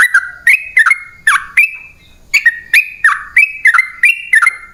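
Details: Lure song of the sooty-headed bulbul (trucukan) for calling wild birds. Clipped, liquid two-part whistled phrases repeat briskly, each a sharp onset then a level note, with one short pause midway.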